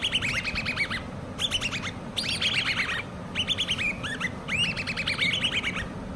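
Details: Hand-reared common babbler chicks calling in loud, repeated bursts of squeaky downslurred chirps, around six to eight notes per burst, overlapping voices, low hum beneath.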